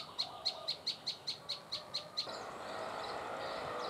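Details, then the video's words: Prinia calling: a sharp, high chip repeated about four times a second, ten notes in a steady series, then it stops and a broad rushing noise rises. "Prenjak Lumut"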